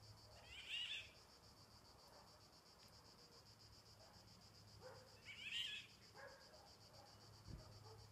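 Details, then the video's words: A Eurasian golden oriole, recorded 25 July 2016, gives two harsh, rasping, cat-like calls about five seconds apart over a steady high buzz of insects. "cri d'appel Loriot d'Europe"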